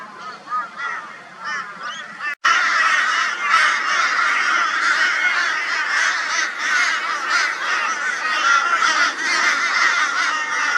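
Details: Mobbing a barn owl in Brisbane, Australia, on 22 February 2022, crows start with a few scattered caws, then a loud continuous chorus of raucous calls from the whole flock.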